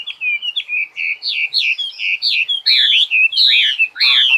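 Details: Songbird delivering a rapid, unbroken warble of varied high chirps and slurred whistles, notes tumbling together without pause, turning louder and harsher with buzzy downward strokes in the second half; no other sounds present.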